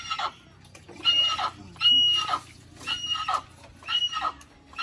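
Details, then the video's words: Little hornbill calling with a run of harsh, grating squawks roughly one per second, some with a thin whistled overtone, background otherwise quiet apart from low hum. "Little Hornbill with natural sound"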